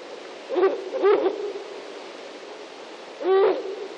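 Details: A female Ural owl calling near its nest gives three hoarse, barking notes, the middle one doubled, spaced unevenly over four seconds against a steady background hiss.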